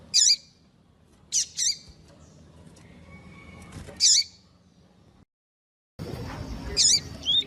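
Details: Female double-collared seedeater calling to stimulate males, used by breeders to rouse cold males: sharp, high chirped notes with a downward tail, given singly and in pairs at irregular intervals with quiet gaps between.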